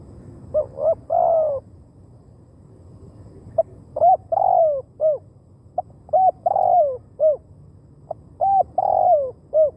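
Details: Decoy spotted dove calling to draw in wild birds; repeated phrases of short clipped notes, a longer sliding coo and a final down-curved note, following one another rapidly over faint rumble.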